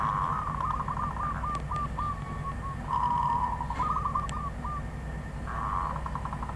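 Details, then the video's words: Wild zebra dove singing: a rapid series of soft, low, trilled coos run together in bursts, with short pauses between phrases over a steady low background hum. "Perkutut Liar"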